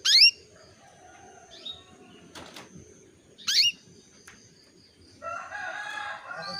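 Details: Female canary lure call meant to bring a male into breeding condition: loud rising chirps at the start and near mid-clip, a brief knock between, then a softer warbling bird phrase at the end.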